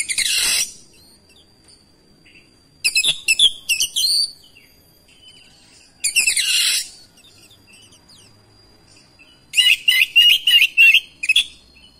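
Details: Oriental magpie-robin (kacer) responding within seconds to another singing kacer, persistent gacor delivery of its isian. Loud noisy rasping bursts alternate with rapid, stuttering whistled notes across twelve seconds, and a faint steady tone runs behind.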